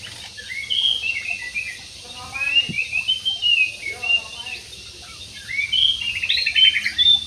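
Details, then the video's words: Aviary budgerigars keep up a chirping, scratchy twitter, with a short low, voice-like sound partway through. "PARKIT JUMBO"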